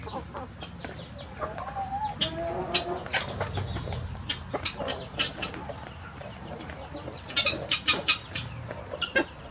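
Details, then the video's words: Free-range chickens streaming out of the coop at morning opening; continuous mixed clucking from the flock, a few longer wavering squawks early on and a burst of sharp calls near the end. "Chicken morning rush"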